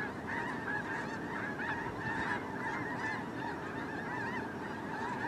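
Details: Massed snow geese on migration, seen from a drone: an unbroken wall of overlapping honking calls, many birds yelping together, with a dense low rumble of countless voices underneath.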